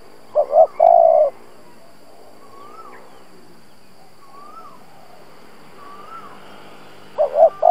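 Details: Decoy spotted dove cooing to provoke wild doves: a phrase of short stuttered notes into a long, steady, hollow coo, repeated after a pause of about six seconds, with faint rising whistles from other birds between phrases.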